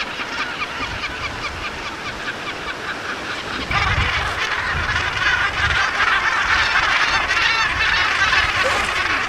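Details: Large colony of Cape gannets at Bird Island, Lamberts Bay, South Africa, 1998: a dense, continuous chorus of harsh, rasping calls from many birds at once, growing louder partway through, with no other clear sounds.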